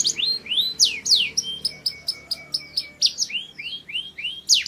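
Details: Singing Mushti canary, its song used to prepare females for mating: clear whistled slurs rising and falling at intervals, threaded with thin, steady high notes and scattered chips.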